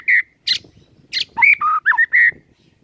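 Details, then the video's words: White-rumped shama (murai batu) showing its repertoire, used as a morning lure to make birds sing: separate whistled notes and buzzy bursts, then a quick run of varied warbled phrases that rise and fall. "Pancingan PAGI HARI 100% Efektif bikin GACOR dengan suara Murai Batu BONGKAR ISIAN"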